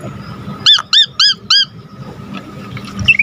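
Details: Asian pied starling, in full lively voice, used as a lure for training other birds: four bright, arched squeaky notes in quick succession, then softer scattered chirps.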